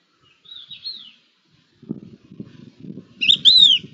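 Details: Two or more crested larks in conversation, 11 October 2021: a soft wavering whistle, then a loud slurred double whistle near the end, with low rustling or scuffing noises in between.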